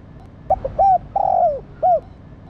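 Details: Spotted dove, a female arousing a male, gives a single low phrase: clipped short notes, an arched coo, a long falling coo and a closing short arched coo.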